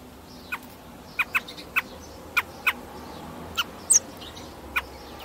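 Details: Hungry American robin nestlings growing in the nest, recorded 18 June 2021, giving short sharp chirps in irregular bursts, some in quick pairs, about ten notes over five seconds against a soft steady background hiss.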